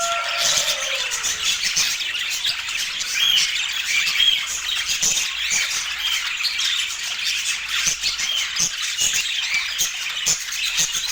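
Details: Budgies at their daily feeding chirp without pause. Busy, high-pitched twittering and scratchy squawks overlap throughout, after a brief falling tone at the start. No words or music are heard.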